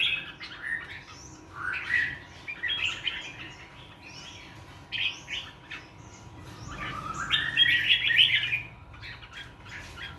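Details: A songbird with a clean wild-forest voice sings in the morning: lively chattering phrases, then rising slurred whistles swelling into a loud rich warble before fading.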